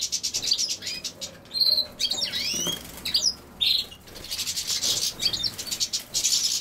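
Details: European goldfinch with common sow-thistle named: swooping, twittered notes and chirps mixed with steady hissing rustle, probably from wings or foliage, that runs through much of the recording.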